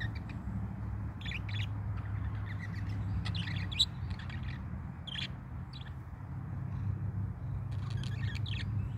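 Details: A pet parakeet gives its morning song, chirping and chattering in short, bright bursts about once a second over a steady low hum; a person speaks briefly afterward.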